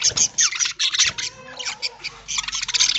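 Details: Budgerigars feeding in an aviary in the early morning on corn wrapped in green leaves: bursts of scratchy, high chirping chatter that briefly thins in the middle, then returns busily.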